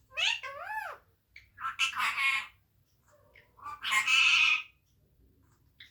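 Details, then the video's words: Pet parrot, said to be hungry, talking to papa in a small room: an opening run of wavy, rising-falling squeaks, then two bursts of raspy, speech-like syllables about two seconds apart, with quiet pauses between. "bhook lagi hai mithu ko papa ko suna rahe hai mithu bhaiya"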